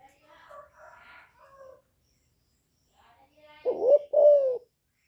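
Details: Young spotted dove giving its calling coo in the chu lèo style, valued for stirring wild doves: one loud two-part phrase, a rising note then a long falling one, after soft indistinct background sounds.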